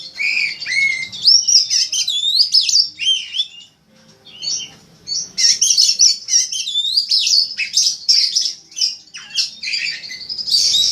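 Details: Master recording of white-rumped shama song for bird contests: clear curving whistles and rapid trills, a short quiet gap, then a long dense stream of chattering high notes.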